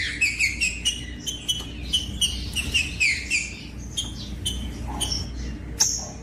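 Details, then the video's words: Steady green-winged saltator song, played to warm up birds of its kind: evenly spaced clear whistled notes about three per second, then sparser higher phrases, with faint background hum. "COM TRINCA FERRO CANTANDO"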